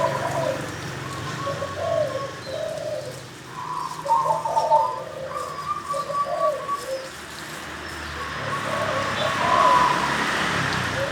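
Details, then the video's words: Wild-caught local zebra dove from the wild delivering a long run of soft, rolling coos, grouped phrases of trilled notes with brief pauses between, over steady low background noise. "HASIL PIKAT PERKUTUT LOKAL ASLI DARI ALAM LIAR SAMPAI NGACOR NDELOSOR NGOROK KOAR KOAR"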